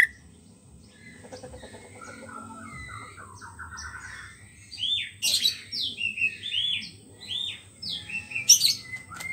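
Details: Wild white-rumped shama singing, used as a lure to prompt silent shamas; quiet scattered notes at first, then louder bursts of varied whistled and slurred phrases in the second half over a low steady hum.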